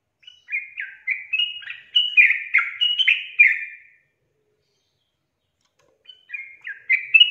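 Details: Sooty-headed bulbul song meant to get idle birds singing: a phrase of about nine bubbly, rising and falling notes lasting three and a half seconds, two seconds of silence, then a new phrase begins.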